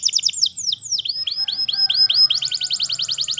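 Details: Canary song recorded in the wild: quick downward-sweeping notes slowing into spaced arched whistles, then speeding into a rapid, regular high trill.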